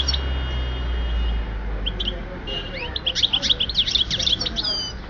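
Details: European goldfinch recorded at Oued Souf in 2010, singing a fast, dense twitter of high, tinkling notes and short buzzy trills after a quieter opening with a low steady hum in the background.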